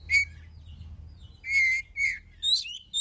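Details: Oriental magpie-robin song meant as a trigger for other birds to sing: loud clear whistles and harsher rich notes in quick succession, some held and steady, others rising, over a faint low hum.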